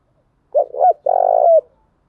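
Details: Female spotted dove decoy cooing to attract other doves: a single phrase of two short rounded coos and one long, steady, slightly throbbing low coo that slides down at the end, in silence.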